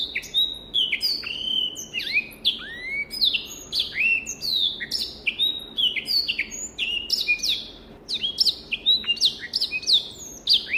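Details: Continuous song of a black-throated canary, an African finch used as a tutor singer: a long unbroken stream of quick high whistles, upslurs and downslurred notes with sharp clicks, varied and fast throughout.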